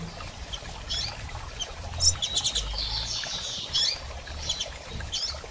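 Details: Female double-collared seedeater calling repeatedly, meant to encourage a male to sing after moult; scattered high chirps and short trills with some low background rumble.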